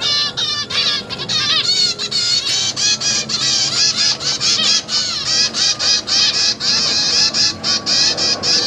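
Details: Zebra finch chicks being fed by their parents in a cage: loud, rapid, harsh buzzy begging calls in a continuous insistent stream, each note rasping and downward-curved, with barely a pause across the stretch.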